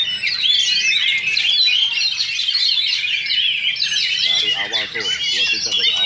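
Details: Oriental magpie-robins singing against each other at a Sunday practice contest in Sindanglaut. Rich, fast whistled phrases and chattering notes overlap throughout, with brief human voices in the background near the end.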